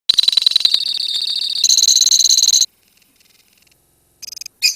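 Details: A lovebird colony in a long ngekek trill: dense, rapid, high-pitched chattering for over two seconds, then near silence with faint ticks, and brief sharp bursts near the end.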